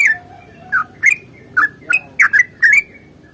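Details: Yellow-vented bulbul, fighting song played to prompt kept birds to sing; a sparse handful of short, bubbly chirps in quick pairs, with a faint thin whistle early on and a soft rumbling background.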